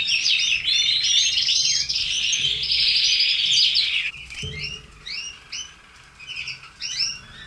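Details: Pet red canaries sing a loud, dense warbling trill for about four seconds, then switch to separate upslurred chirps repeated roughly every half second.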